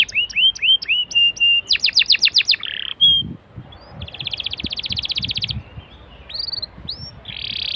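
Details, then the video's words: Canary song played to get other canaries singing: rising whistled phrases and a fast sharp trill, then a long buzzy rolled tour, with brief soft low rustling noises between phrases. "BURUNG KENARI LANGSUNG RESPON GACOR DENGAN PANCINGAN KENARI INI!!"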